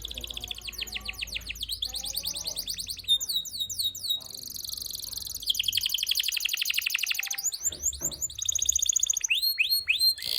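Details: Canary in full, lively song: fast varied phrases of high whistled trills, rapid descending sweeps and buzzy rattles, switching style every one to two seconds, with low background hum.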